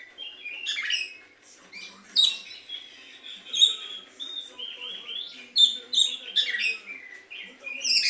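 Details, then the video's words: Oriental magpie-robin mimicking sooty-headed bulbul phrases: clear sustained high whistles broken by quick chirpy flourishes, repeated in loose sequences. "Kacer rasa kutilang"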